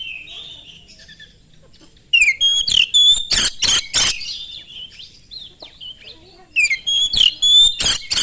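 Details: Oriental magpie-robin song played to draw other magpie-robins into singing: faint whistles, then two loud runs of sliding whistles and harsh rasps separated by a quieter pause.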